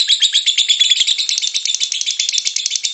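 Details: Lovebird singing: dense, unbroken, shrill chatter of rapid squeaky notes, harsh and buzzy throughout, loud and close.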